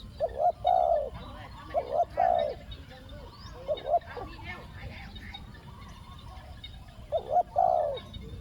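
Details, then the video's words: Spotted dove decoy, kept for luring wild doves, repeating its two-word khu-ang coo: short double notes followed by a longer hollow hoot, several phrases in a row. Human speech is heard between the phrases. "ต่อนกเจาใหญ่ เจ้าวุ่นวายเก็บเชลย คูอ่าง 2 คำ"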